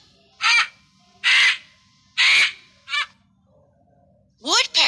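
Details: Hooded crow giving four harsh, raspy caws about once a second, the last one shorter. A voice follows at the end.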